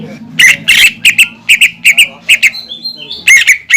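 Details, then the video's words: Greater green leafbird in a cage singing to provoke rival leafbirds: a fast run of sharp chirps and harsh bursts, a few thin whistled notes, then more rapid chirps. "PANCINGAN CUCAK IJO GACOR YANG BIKIN BURUNG CUCAK IJO LAIN EMOSI DAN LANGSUNG GACOR"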